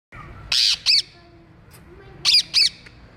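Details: Indian ringneck parrot, a pet climbing trees, uttering two pairs of harsh, bright squawks, each pair quick and clipped, separated by a quiet gap of over a second.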